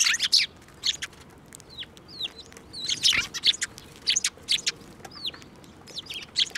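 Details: At a Tenmangu shrine, 15 March 2024, sparrows fly to a hand to be fed; loud clustered chirps mix with thin rising and falling single notes, recurring every second or so.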